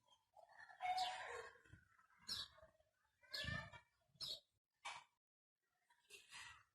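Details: Ringneck talking parrot uttering a string of short, clipped, voice-like syllables separated by brief silences, the first phrase loudest, all in a quiet indoor setting.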